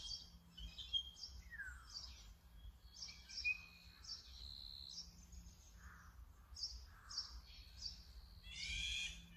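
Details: Brown-eared bulbul, recorded with a Sony A7M3 and telephoto lens: one sharp falling squeal among many short high chirps, then a harsh raspy burst near the end, with a steady low hum underneath.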